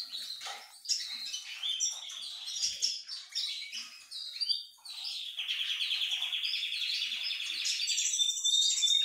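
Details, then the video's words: A courting male siskin sings to a diluted-mutation female with quick, varied high twitters, then a long, steady buzzy trill held for the last four seconds. "Tarim macho galanteando a fêmea diluída"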